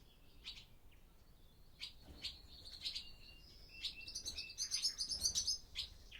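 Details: Barn swallows in an old barn by day, back for the start of the breeding season, recorded on a Zoom F6 with a Sennheiser MKH microphone; soft high chirps building into a rapid twittering chatter.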